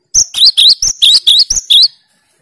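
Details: Cinereous tit singing a 'tembakan' style song meant to challenge rival birds: eight loud, high, sharp whistled syllables fired in quick succession over under two seconds, alternating single notes with dipping two-part phrases, then silence.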